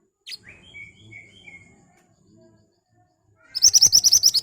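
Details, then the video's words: Ashy tailorbird song used to coax birds into answering: a short squeaky note and soft descending whistled slurs, a pause, then a loud, even burst of rapid, piercing high chips about three per second. "Burung Mantenan Gacor Nembak Tajam Cocok buat Pancingan agar cepat Nyaut"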